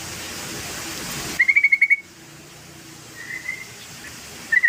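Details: Yellow-vented bulbul song used as a lure to make other birds sing: a quick run of sharp, evenly spaced chirping notes, a soft drawn-out whistle, then another brief chattering burst, over steady hiss at the start.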